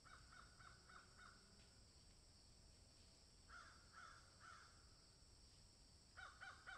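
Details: Crows in a field heard at a distance, giving short clipped caws in quick bursts of three or four, separated by quieter gaps with a steady background hiss.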